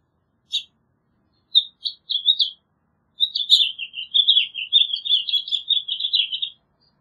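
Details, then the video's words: A House Finch opens with a few separate sharp chirps, then breaks into a long, fast, rambling warble of twittering notes lasting over three seconds. "House Finch Song! House Finch Call! House Finch Sound! -Pinzón Mexicano Canto-"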